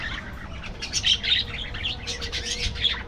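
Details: In an aviary colony, budgerigars chirp in quick runs of sharp high notes, several birds calling over one another without pause.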